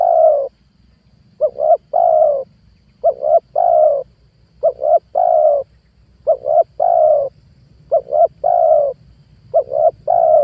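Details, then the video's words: Trapping lure call of a spotted dove aimed at wild doves: about eight phrases in steady succession, each a pair of quick coos and a longer coo, repeated roughly every one and a half seconds. "PANGGILAN TUKUKUR PIKAT 2022 COCOK BUAT PANCINGAN TEKUKUR LIAR"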